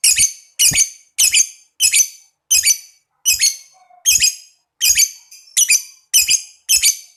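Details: Lovebird giving a steady series of harsh, high, rasping chirps, about eleven in seven seconds, played to stimulate other lovebirds to trill.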